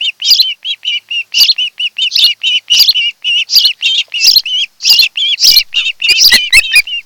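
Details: Osprey calling at its nest on Kent Island, Maryland, 26 July 2018 afternoon, nest-cam recording of a mated pair: a steady run of short, high whistled notes about four per second, growing into louder slurred squeals.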